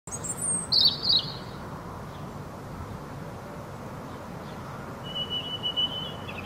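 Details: European robin singing in spring at Sutton, County Dublin: short, thin, high warbled phrases near the start and again after five seconds, set against a steady, heavy background rumble.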